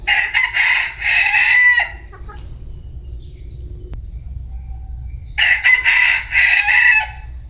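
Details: Bantam chicken crowing twice, each crow a loud, raspy, stuttering burst of nearly two seconds, separated by several seconds of quiet with a faint high continuous buzz and low background rumble.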